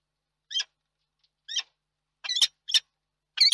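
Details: Male peregrine falcon at a nest site in Reda, Poland, 31 March 2022, gives five short, harsh, grating calls, two close together near the end, at an irregular pace, with silence in between.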